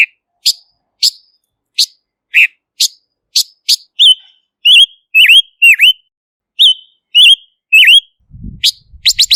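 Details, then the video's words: Silver-eared mesia, recorded clean as a lure: evenly spaced sharp chips, then a phrase of clear slurred whistles with V-shaped dips, ending in quick buzzy notes and a low thump. "Tiếng chim Ngũ sắc mồi không tạp âm | Kim oanh tai bạc | Silver-eared Mesia"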